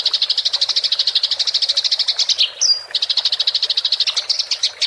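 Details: Rolling fighting chatter of a Eurasian tree sparrow, clearly recorded for training songbirds: steady rapid high chirps, a brief thin whistle in the middle, then the fast chirp run continues.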